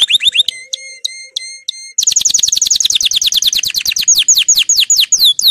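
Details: Excited male canary preparing for breeding sings short rising notes, a row of clear steady whistles, then a long rapid trill of sliding notes that grows looser and more emphatic.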